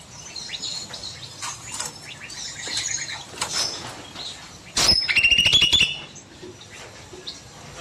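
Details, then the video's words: Cucak mini bulbul in an aviary during the evening, giving one loud, fast rattling trill of about a second after soft background chirping from other birds; a sharp knock precedes the burst. "Burung Cucak Mini Gacor Panjang"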